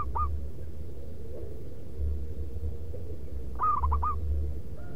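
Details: Zebra dove, a local lure bird, delivering its loud rhythmic manggung cooing: a brief note at the start, then a full phrase of fast stuttering coos, against constant low-pitched background hum.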